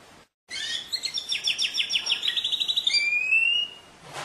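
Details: Canary trilling: a fast rhythmic series of repeated notes stepping down slightly in pitch, then a clear rising whistle, after a moment of silence at the start.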